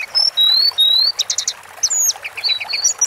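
Sunda forktail: thin, high whistles slurring up and down, then quick bursts of sharp, sibilant chips, all very high-pitched and rapid.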